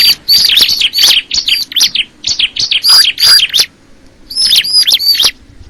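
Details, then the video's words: Bar-winged prinia known as crystal ciblek, pouring out quick series of bright, high chirps and slurred whistles, pausing for about a second before a final burst of sharp notes. "the sound of the crystal ciblek bird"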